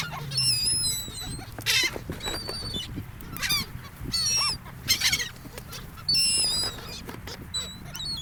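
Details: Seagulls on a sandy beach by the ocean, near people; repeated harsh, honking cries in bursts roughly every second, some sliding downward, above a quiet low background rumble.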